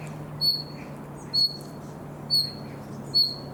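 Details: Summer practice song of a young common nightingale: four high, clear whistled notes, slightly falling, repeated about once a second above a steady low drone.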